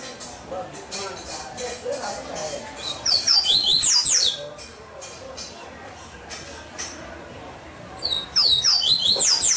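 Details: Double-collared seedeater held in captivity sings a quick sequence of sharp, high whistled notes, then after a quiet gap begins another similar bright, rapidly repeated phrase.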